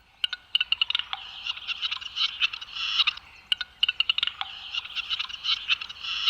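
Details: A male Western Capercaillie in a Serbian forest gives his mating display to woo hens: dry, rapid clicks running into hissing, scraping phrases, repeated in bursts, with no other clear sounds.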